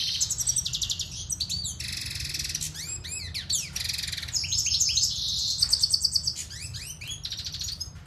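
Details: Siberian goldfinch song, a fast varied medley of high twitters, buzzy rattles, sweeping upslurred whistles and trills, over a steady low hum.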